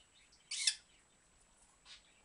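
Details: A pet dusky-headed conure, dancing, makes a sharp, hissy kissing smack, followed about a second and a half later by a fainter one in a quiet room.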